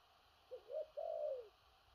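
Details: Single phrase from a large-bodied spotted dove in thổ rặc cooing: a soft short note, a rising hollow note, then a long drawn coo that sinks gradually. Quiet surroundings.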